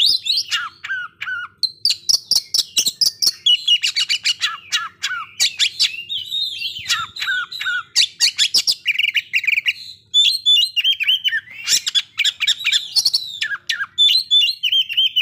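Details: Lure song of an Oriental magpie-robin, meant to stir breeding drive and aggression in listening birds. A long continuous medley of loud whistles, harsh chatters and trills, with descending whistled phrases at intervals.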